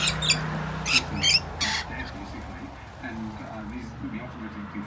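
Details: Wild rainbow lorikeets at a balcony in the morning, flock members joining two young regulars in a squabbling feeding frenzy; harsh, grating squawks come in quick bursts over the first two seconds, with a person talking quietly underneath.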